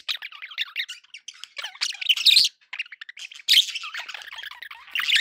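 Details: Budgerigars kept at home sound happy: steady chattering warble of twittering, looping notes, punctuated by louder scratchy squawks.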